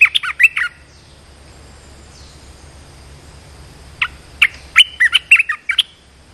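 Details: Red-whiskered bulbul, a caged decoy bird used to lure a wild bird, singing two bursts of quick chirpy, warbled notes separated by about three seconds of quiet, with faint steady background hiss.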